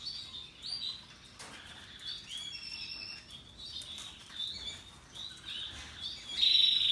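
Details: Russian yellow and Timbrado canaries singing happily: a mix of quiet high chirps and twitters, ending in a louder rolling trill.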